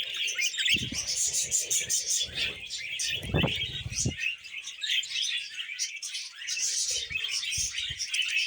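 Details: Happy pet budgies chattering and singing while eating vegetables, giving an animated high warble with rapid ticking bursts and squeaky chirps, mixed with low knocking and crunching.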